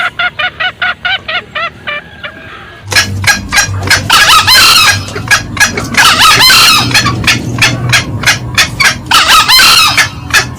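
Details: Loud lure recording of male and female green junglefowl: a run of evenly spaced short cackles, then a dense stretch of harsh overlapping calls and rapid repeated notes with a low hum beneath.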